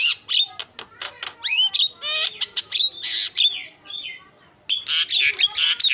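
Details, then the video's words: Javan myna singing in a lively burst: rapid clicks, broad rasping squawks and sliding whistled notes, a brief pause before another run of harsh chattering phrases. "JALAK KEBO SUPER GACOR SUARA ISIAN"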